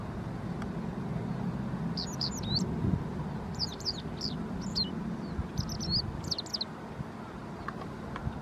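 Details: Japanese wagtail giving bursts of sharp, high chirps in small tight clusters separated by short pauses, set against a steady low rumble.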